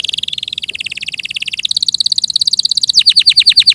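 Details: Canary singing a long, fast, rolled trill that starts buzzy and steady, shifts higher mid-phrase, then breaks into sharper descending slurred notes near the end; clean recording with no other sounds.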